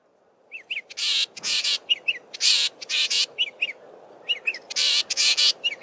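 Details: Male Southern Fiscal singing with much mimicry of local birds in Belmont Valley, Eastern Cape; broad harsh buzzy bursts alternate with short high whistled downslurred notes, phrases repeating in quick clusters over faint background hiss.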